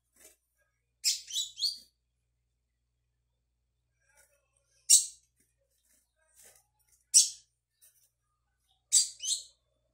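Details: Young brown-plumaged Double-collared Seedeater practising the tui tui song, 22/05/22: short high buzzy note groups spaced irregularly, roughly every two seconds, with quiet gaps between.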